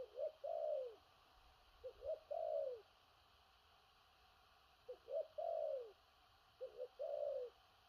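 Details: Spotted dove with a big body cooing thổ rặc style with stuttering gù cà lăm starts: four phrases, each two or three quick low notes followed by a long downward-curving coo, separated by pauses.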